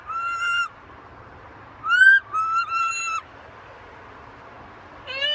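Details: Macaw parrot giving a level whistle, a pause, then a sharply rising whistle and two flat notes, and a final lower, broken note after another quiet stretch.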